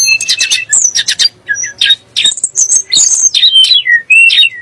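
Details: Sunda blue robin (tledek gunung) song used to provoke white-rumped shamas and other birds into singing: rapid varied chattering phrases, harsh buzzy notes mixed with high whistled slurs, tightly packed.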